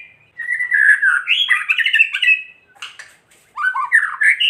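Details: White-rumped shama kretekan song, a lure meant to agitate rival shamas into singing. Fast, harsh chatter and rattles are followed by a few clicks, a brief quiet, then renewed rising scratchy notes.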